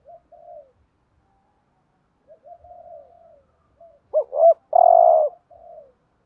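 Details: Spotted dove decoy bird cooing in the thúc gù style to provoke rival males. Soft, faint coos come first, then one loud phrase: two short notes and a long, low, sustained coo.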